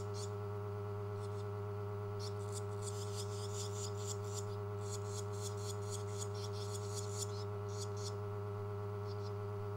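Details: Rescued, hand-reared Barn Swallow chicks, siblings fed flies, bees, wasps and a curd mix by day and moths and lacewings at night, beg with quick bursts of high, scratchy twittering in uneven clusters over a loud, steady low electrical hum.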